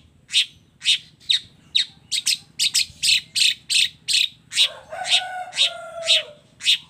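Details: Long-tailed shrike in a combination fill-in song: a rapid run of short, scratchy notes about twice a second, with a brief lower warbled phrase mixed in near the end.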